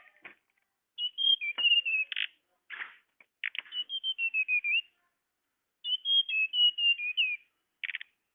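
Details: Bird-luring tledekan call: repeated whistled phrases of quick stepped notes drifting downward, interspersed with short buzzy rasping bursts and clicks, in three phrases over about eight seconds.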